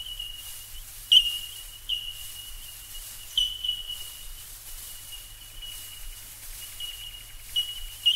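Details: Australian Bell Miner chorus: a steady high ringing tone laced with crisp, metallic pinging notes every second or so, some louder and closer, over a faint low rumble.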